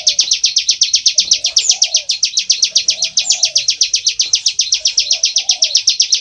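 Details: Loud ngebren song of a bar-winged prinia: a steady stream of rapid, piercing high notes at about eight per second, never pausing, over soft low murmured sounds.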